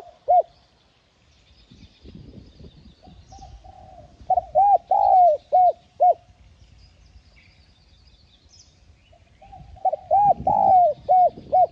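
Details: Spotted dove, called cu gáy, full calling, urging and cooing sequence used as a lure: bursts of rapid arched coos separated by quiet stretches, with faint rustling and distant chirps.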